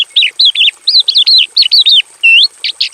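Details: Javan bush lark kept in a simple aviary, giving a fast run of arched, slurred whistled notes, each rising then falling, followed by a flatter whistle and a few buzzy chirps.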